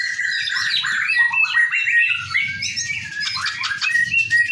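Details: White-rumped shama at a group training session, delivering a rich, varied song of rising and falling whistled phrases that run into busy chattering notes, with a low background rumble.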